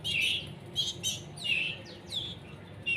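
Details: Canary chicks at a breeder's, being hand-fed while still becoming independent, give loud rasping begging chirps in quick bursts, each a harsh high note with bright overtones, about two or three per second with short gaps, over a low steady background hum.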